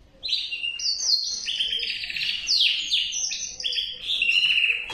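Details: Singing male canary delivering dense, rattling trills that shift pitch every second or so, interspersed with quick falling slurs, the whole phrase loud and unbroken after a brief quiet start.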